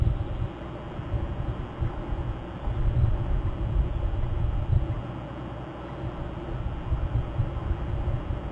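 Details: A fluctuating low rumble of wind or distant traffic, with no animal voice.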